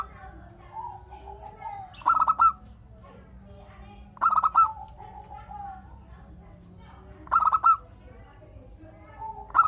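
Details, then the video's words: Zebra dove of local stock singing steadily to prompt other doves to reply. Four brief, rapid, pulsed coo phrases arrive about every two to three seconds over quiet background whistles and chirps from other birds. "Perkutut Lokal Gacor Untuk pancingan kutut perkutut agar saling bunyi BERSAUTAN"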